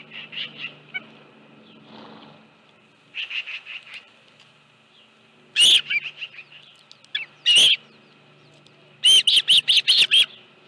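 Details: Osprey at a nest on Dunrovin Ranch holding a live fish, 25 July 2018, 5:23 PM. Soft, muffled chirps and low background hum give way to sudden loud shrill notes and a closing rapid chirp series.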